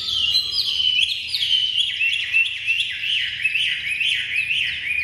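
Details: Fully tame Chinese hwamei, singing well, repeats bright high whistled notes that slide downward, about two to three per second, in a steady rolling series.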